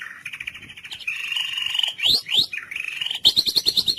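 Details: White-rumped shama singing in a therapy recording meant to get mute, lethargic shamas singing: a sustained warbling whistle, two swift upward sweeps, then a quick run of high chips.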